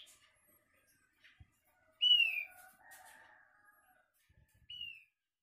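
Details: Asian glossy starling with an unusual call: a loud, high, downward-sliding whistle followed by softer, lower, sustained tones, then a second, quieter slurred whistle after a pause, in an otherwise quiet setting.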